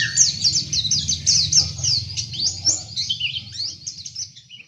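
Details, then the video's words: Oriental white-eye (pleci) singing open-beaked, with Dakbal, Pacitan and Muria variants compared: a dense, continuous stream of high, rapid twittering chirps and sweeping notes that barely pause, over a faint low hum. "suara pleci buka paruh!!!"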